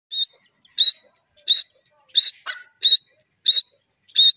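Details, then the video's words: A francolin, known locally as irani teetar, calls in a loud series of harsh, high bursts, one about every two-thirds of a second, with seven notes and a lower rasping note in between; no other sounds are heard. "irani teeter bird calling,pardrige teeter bird sound"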